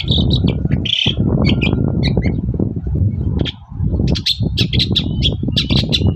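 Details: Morning song of a long-tailed shrike, played to prompt other shrikes to reply; short buzzy rasps and chips, a pause, then a quick run of ringing squeaky notes, with strong deep rumble in the background.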